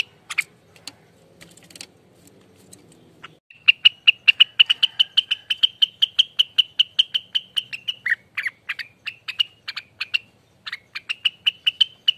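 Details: Rengganis in ropelan song, meant as a lure and tutoring recording: faint scattered notes and low murmur at first, then from three and a half seconds a fast, steady string of sharp, high chirps with short breaks.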